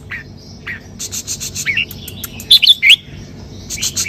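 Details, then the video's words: Red-whiskered bulbul kept as a cage bird, 'sai berl' song style: after scattered chirps and rustling, three loud, sharp whistled notes rise and fall in quick succession, followed by light ticking sounds. "นกกรงหัวจุก สายเบิ้ล สำนวนเพราะๆ"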